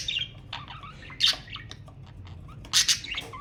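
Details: Budgerigar chatter intended to stimulate mating: soft twittering with two loud harsh squawks about a second and a half apart.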